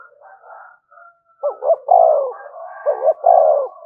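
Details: Spotted dove calling to provoke rival doves. Faint murmured coos lead into two strong phrases, each a quick stuttered double note and then a drawn-out mellow croo that slides down.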